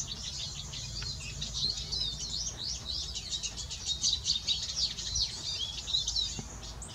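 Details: Singing male siskin delivering a steady, rapid, high twitter of chirps, slurred whistles and scratchy notes, getting louder toward the end, with a low hum behind.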